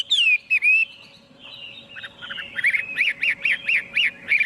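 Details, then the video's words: Chinese hwamei giving a few downslurred whistles, then softer warbling and a series of short, looping notes repeated about three times a second. "Tiếng chim hoạ mi hót không tạp âm"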